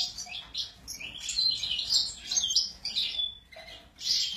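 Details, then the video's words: An excited Sura delivers quick high chirping and twittering phrases in short bursts, some notes sharp and whistled, with brief gaps between phrases. "السورا المزنبيق هيجان"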